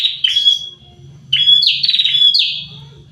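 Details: Two prinias, a pair, in lively song: a buzzy note, then after a pause a run of three harsh, descending trills, with a faint low hum underneath.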